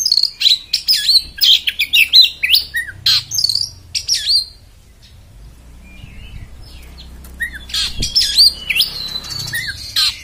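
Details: Loud, choppy Oriental magpie-robin song in the coarse 'beset' style: rapid high whistles and harsh clicks in quick succession, a quiet pause with faint low rumble, then renewed whistled and scratchy phrases.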